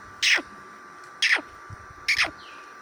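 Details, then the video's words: Black francolin in Sindh, Pakistan: three loud, harsh, rasping notes about a second apart, each sweeping sharply downward in pitch, over a faint steady hum. "Kala teetar"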